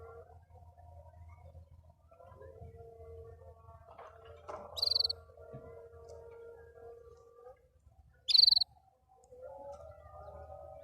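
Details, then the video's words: Singing canary, happy, producing two separated short bright trills over faint low rumble and a steady electrical-sounding hum with some clatter in between. "Watch the canary sing happily"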